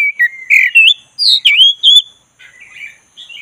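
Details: Relaxed rolling song of a black-breasted Oriental magpie-robin, played to coax a listless bird into song: a run of smooth, rising and falling whistled notes in quick succession, fading into soft, scratchy chatter.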